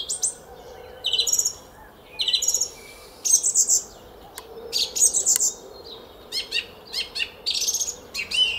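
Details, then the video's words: Garden song thrush at Szalkszentmárton, Hungary, singing at 06:15 on 10 April 2021: high phrases of chirps and whistles, several repeated two or three times, with steady bursts across the whole stretch. "ÉNEKES RIGÓ TRILLÁZIK A KERTÜNKBEN!"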